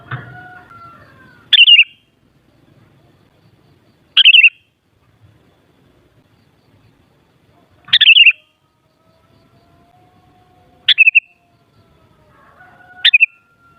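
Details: Song of a sooty-headed bulbul, used to rouse a kutilang into singing in reply: five brief bright warbled phrases, spaced two to three seconds apart, sharp onset then a quick wavering fall, against near silence.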